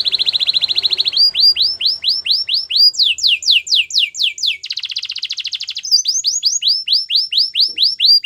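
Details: Training song of a canary: a rapid high trill gives way to long runs of repeated downward-swooping whistles, about five per second, then another brief rolling trill and more swoops.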